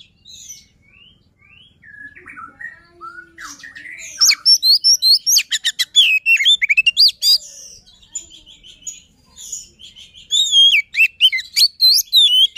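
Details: White-rumped shama giving a luring song: soft scattered notes build into loud rapid bursts of whistles, sweeps and sharp chirps, repeated in dense runs with short pauses.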